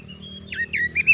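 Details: Oriental magpie-robin, a caged kacer songbird, giving a thin steady whistle followed by a few short, clear, bending whistled notes over a low background hum.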